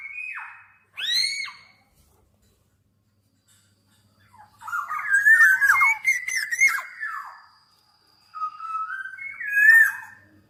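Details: Black-naped oriole with two short, clear downslurred whistles, a long silence, then a tumbling run of fluty slurred notes. A later, shorter whistled phrase follows.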